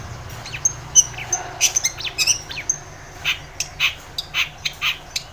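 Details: Long-tailed shrike singing strongly, used to coax a quiet shrike into song: mixed thin whistles and sharp chips, giving way to a slower string of harsher, rasping notes spaced about half a second apart.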